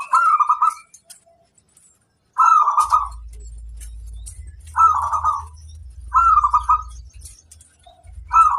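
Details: Local zebra dove kept for song and played to train other birds, giving short bubbling coo bursts at mid pitch roughly every one to two seconds, with a soft low hum between them.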